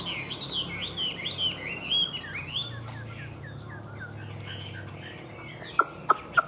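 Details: Tame caged Chinese hwamei singing quick chains of arching whistled notes that fade into softer phrases, with three loud clicks near the close.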